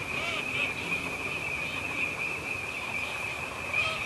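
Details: A wintering flock of Eurasian teal, part of a teal "invasion" at EVOA in winter 2012/13, keeps up a constant chorus of short, high, piping whistles, with louder bursts every half second over faint hiss.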